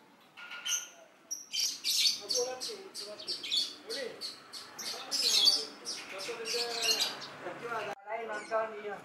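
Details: Lovebird in breeding condition, captive-born, singing a busy stream of sharp high chirps and short squeaky notes, with lower warbling twitters beneath and a brief pause before a final burst of chatter.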